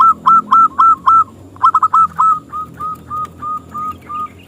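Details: A frequent-singing local zebra dove with a small crystal voice, used to draw rival doves into singing: loud, clipped coo notes in quick succession, then a slower, softer train of even notes.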